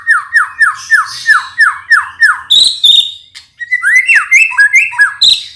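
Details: Champion Medan white-rumped shama singing as a lure to make young spotted birds sing: a run of about nine quick descending whistled notes, sharp high accents, then varied jumping whistled phrases.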